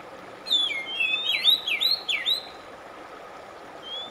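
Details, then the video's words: Oriental magpie-robin (kacer) singing for a stressed-bird relaxation track: a rich phrase of rapid, looping whistled notes rising and falling for two seconds, then quiet hiss and one faint rising whistle at the end. "RELAKSASI AMPUH KACER SETRES MACET TOTAL CEPAT BUNYI"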